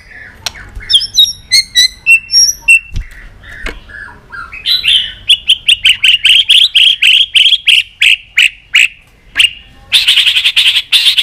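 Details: Excited White-rumped shama with tail-flicking, singing many voices: varied whistled notes, then a long fast run of sharp repeated chips several per second, ending in a dense buzzy rattle.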